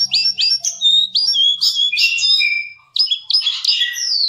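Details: Javan cochoa song, known locally as jongkangan or cingcoang, used as a tutor recording for songbirds: rapid varied high whistled notes and slurred rising and falling phrases, with a short pause before a final burst of warbling.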